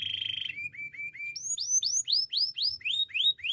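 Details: Canary song for training other canaries: a steady buzzy trill, short low whistles, then repeated loud rising-and-falling whistled notes about three per second.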